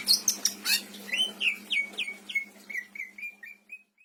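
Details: Caged pet greater green leafbird from Indramayu, Indonesia, kept as a tutor for other birds and praised for rich fill song. It opens with sharp high chips, then gives about ten descending slurred whistles in quick succession that fade away, over a steady low hum.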